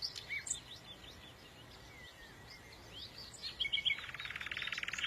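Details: Songbird twittering: a stream of quick, high chirps and short whistled slurs, busy and overlapping, ending with a dense, buzzy rattling trill in the last second.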